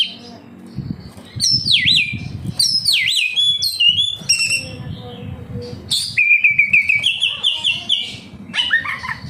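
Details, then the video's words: Captive oriental magpie-robin singing loud varied song, used as a lure to get other caged birds singing: sweeping whistles falling from high to mid pitch, rapid chattering notes, then sustained warbled phrases, over a low rumbling background hum. "Suara burung Kacer, cocok buat Pancingan Kacer bahan agar tambah Gacor"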